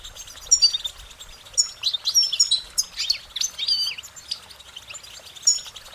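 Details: Goldfinch song of quick, high warbling notes and tinkling chirps strung together in bursts, busiest in the middle, over a quiet background.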